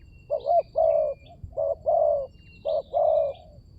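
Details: Lure cooing of a spotted dove for attracting wild birds. Three paired coos: a brief quavering opener, then a drawn-out mellow note, repeated steadily. Thin distant chirping above.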